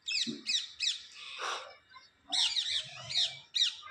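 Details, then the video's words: Pet parrot talking: a series of harsh, raspy squawking syllables, repeated in short bursts with brief pauses. "my parrot khatti meethi was talking"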